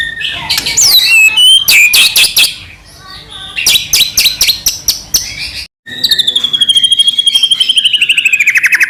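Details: White-rumped shama song used to provoke another shama to sing: rapid loud chips and sweeping whistles, a brief pause, then a long rattling trill with a high sustained tone.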